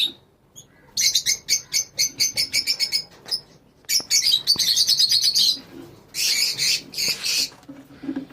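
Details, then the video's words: A lovebird colony bursting into sound after a near-silent start: a rapid series of about a dozen piercing chirps, then overlapping twitters and loud harsh screeches near the end. "Love bird colony"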